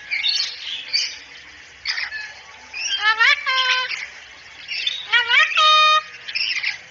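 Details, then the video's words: Cockatoo talking "assalamualaikum", recorded as training audio for other birds. Raspy squawking opens the passage, followed by bright rising harmonic syllables and a steady, held nasal tone, all in speech-like rhythm. "masteran burung kakatua bicara asalamualaikum"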